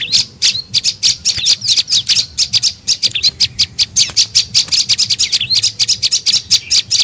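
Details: Tailorbird (prenjak lumut) lure call for attracting birds, a dense run of sharp, high chirps and twittering notes delivered quickly and continuously without pause.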